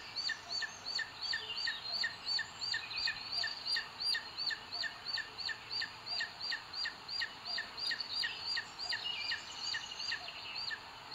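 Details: Booted eagle on its nest in Sierra de Guadarrama Natural Park, Spain, 2 June 2022, as the male brings in food for the female. From a live camera stream. Rapid series of sharp, high, downward-flicking notes, nearly three per second, continuing throughout.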